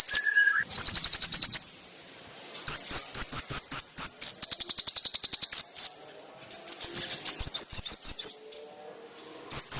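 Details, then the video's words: Varied konin bird song for training, loud and clear: several bursts of very rapid high chattering trills mixed with short piercing whistles and twittered notes, with quiet gaps between phrases. "MASTERAN BURUNG KONIN ISIAN MEWAH FULL TEMBAKAN TAJAM NYARING JERNIH"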